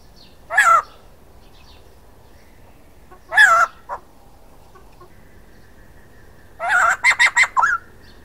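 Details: Male white-crested laughingthrush calling: two short, harsh, downslurred bursts a few seconds apart, then a longer loud phrase ending in a rapid run of about five chattering notes; quiet background otherwise.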